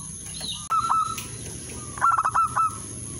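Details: Male zebra dove calling out a rival, in a recording used as a lure. Two short bursts of quavering, bubbling coos are heard, the second broken into quick stuttered notes, over faint background hiss.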